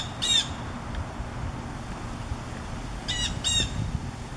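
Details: A Blue Jay in backyard trees on a summer afternoon in August, as a fast-moving severe thunderstorm arrives, gives three harsh nasal squawks, probably warning other birds: one early, two close together near the end, over wind and rain noise.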